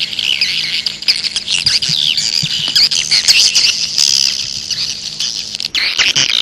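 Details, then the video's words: Wild-bird lure of grey-breasted prinia: rapid, high-pitched chattering chirps for nearly six seconds, ending abruptly before a short final burst of twitters; faint low hum underneath. "Suara Ampuh Memanggil Burung Waler Liar"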